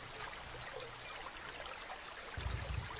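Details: A crimson sunbird gives a short string of piercing, high slurred notes that drop in pitch, falls silent for a moment, then adds a few more sharp squeaky notes.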